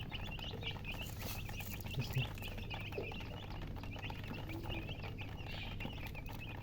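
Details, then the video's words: Baby chickens just out of the egg chirp loudly in a crowded chorus of brief high notes, some rising and some dropping, with low hum and a couple of soft knocks. "Tot Murgi chicks chirping sounds Just Born Baby Gallina FRACAS Chicks Piar Loudly Sound"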